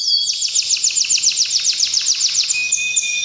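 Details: Canary singing strongly during breeding season, a fast even train of repeated sweeping chirps, roughly six per second, finishing on a sustained high whistle.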